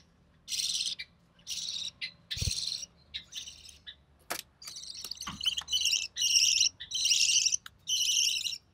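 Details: Budgerigar chick, recessive pied, born early June 2020 to a white recessive pied father and an albino red-eye mother, during feeding; raspy, buzzing bursts in uneven runs, with a couple of sharp knocks in between.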